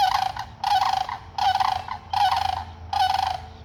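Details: Sandhill cranes calling while ducks come in for feed: five harsh, rolling, rattling calls about half a second each, given in quick succession with short gaps, over a low background rumble.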